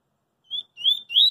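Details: Double-collared seedeater singing in the street, in the song style called coringa: three high, clear whistled notes, a short first note followed by two longer slurred whistles in quick succession, against a quiet background.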